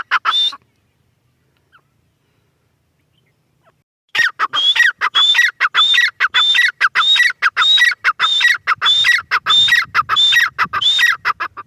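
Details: Female grey francolin: a short opening call, over three seconds of silence, then a sustained run of fast, harsh, whistle-topped phrases repeated regularly.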